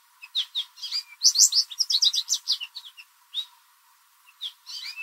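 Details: An American goldfinch singing loudly in a backyard, most likely a mating song, gives a bright, rapid jumble of high twitters and sweet rising and falling notes, with a short pause before a final burst.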